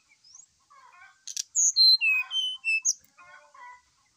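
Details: Brown-chested jungle flycatcher in lively morning song, played to prompt another bird to sing: quiet low twitters, then a loud run of pure whistled notes falling from high to lower pitch, closing with soft warbles.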